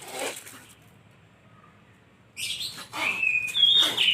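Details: Lovebird, named for its lively, melodious chirping, quiet at first, then bursts into shrill rising chirps and squeaks during the final couple of seconds, with a soft flutter-like rustle.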